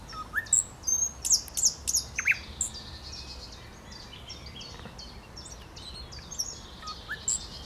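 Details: Thrush nightingale song, 8 May 2022: a loud opening burst of sharp, high chirps and clipped whistles over about two seconds, then softer scattered twittering.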